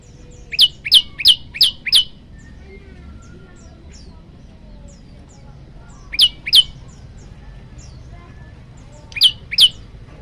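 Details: Male olive-backed tailorbird calling a female, singing in varied style: a quick run of five sharp high chirps, then pairs and short bursts of the same notes after pauses, with faint background hum.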